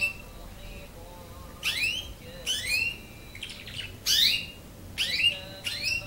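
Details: A 9-month-old canary learning to sing practises in bright, high, sweeping notes that fall sharply in pitch, given in short bursts about once a second with brief trilled bits between.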